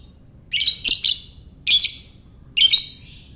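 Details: Chattering lovebird ngekek call used to stir other lovebirds into calling: dense raspy screeching bursts in quick succession, four loud chirrs spaced under a second apart, with a fading hiss at the end.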